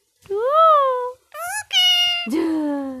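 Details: A talking parrot, kept as a pet and mimicking Bangla speech and cat meows, gives three or four loud, tonal, meow-like calls. They rise and fall in arcs, and the last one drops and drags out.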